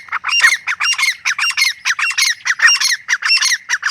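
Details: Grey francolin chorus of harsh, ringing squawks in quick alternating pairs, fast steady rhythm throughout.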